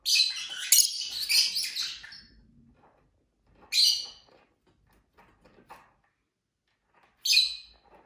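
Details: Pet lovebirds kept indoors, a mixed group of males and females, giving harsh, high chirps: a long scratchy burst of squeaks at the start, then two short shrill chirps spaced about three seconds apart, with quiet gaps between.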